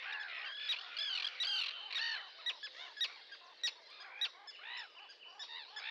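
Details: Sandwich terns calling, a dense chorus of harsh, grating, arched calls from many birds overlapping, with a few sharper clicking notes standing out at irregular intervals.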